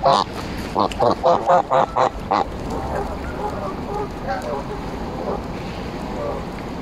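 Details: Several Embden geese being petted and fed at Longton Park, Stoke on Trent, on July 18, 2022, give a rapid run of six or seven nasal honks. Softer murmuring and background noise follow.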